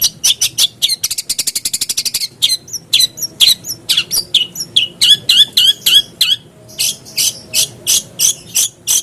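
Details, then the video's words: Long-tailed shrike, a lure for prompting a silent caged bird to sing: harsh chips, a fast even rattle, mixed whistled and raspy notes, then a steady series of hissing calls. "PANCINGAN BURUNG CENDET AGAR CEPAT BUNYI"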